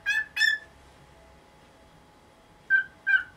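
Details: A nineteen-year-old pet cockatiel makes a morning fuss for its cage cloth to be lifted: two quick ringing calls, a second of quiet, then two more matching calls.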